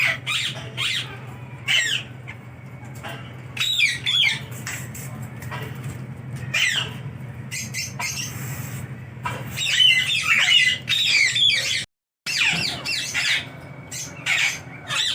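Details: Sun conure kept as a home pet, squawking in loud harsh bursts, mostly short and separated by brief pauses, with a denser run of screeches midway and a constant low background hum.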